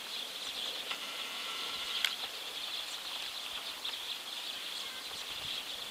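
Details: A flock of Eurasian tree sparrows perched in a ginkgo tree in the evening keeps up a dense, high chatter of overlapping chirps, with a few sharper cheeps standing out against a steady hiss.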